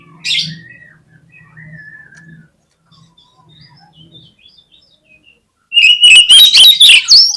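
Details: Oriental magpie-robin, a lure song meant to set sluggish birds singing: faint distant chirps and low clucking, then a sudden loud strophe of rising whistles mixed with harsh, scratchy notes in the last two seconds.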